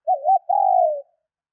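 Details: Single call of a female spotted dove, given to stimulate males: a wavering, undulating opening note runs into a longer level coo that tapers downward. No other sounds.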